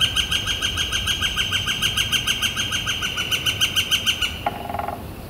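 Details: Calling from a Northern flicker, recorded April 28, 2014 under clear blue sky: a fast, rhythmic chain of sharp high notes that runs for about four seconds, then stops as a short lower sound follows.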